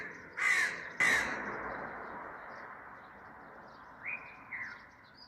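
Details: Loud crow in a garden giving two harsh, broad caws close together, followed by a fading echo and two softer, thin higher notes from small birds.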